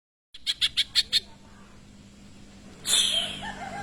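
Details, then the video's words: Greater green leafbird in full song with tengkek imitations: five quick bright chips near four kilohertz, a pause, then a harsh rasping burst trailing into softer notes. "cucak ijo gacor isian burung tengkek"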